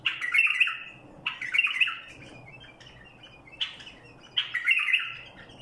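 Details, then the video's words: Barwaz song from a Badrawi bulbul: four warbling bursts, each a quick cluster of mellow, slurred whistles, coming roughly every one to two seconds, with faint chirps between them. "برواز بلبل بدراوي"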